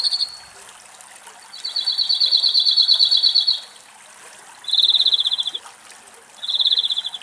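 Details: Two song thrushes quarrel while trying to drink water, the more aggressive bird chasing the other off. Dry, rapid rattling chatters are repeated in bursts of up to two seconds, with a faint wing flutter between them.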